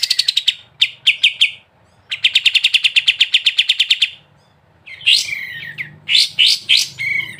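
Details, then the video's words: Gacor sooty-headed bulbul in ngebren song. Rattling series of high chips is broken by brief pauses, then a long rapid run follows. The clip ends with several loud, slurred, swooping notes. "KAPAS TEMBAK GACOR BESET NGEBREN"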